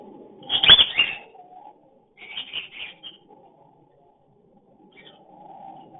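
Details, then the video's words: Cockatiel mating call during breeding, taken with a hidden camera: a loud harsh screechy burst of about half a second, then a quieter run of short scratchy chirps after a pause, with a faint steady lower whistle near the end. "Love Breeding / sound voice (mating/Crossing) cocktail love bird"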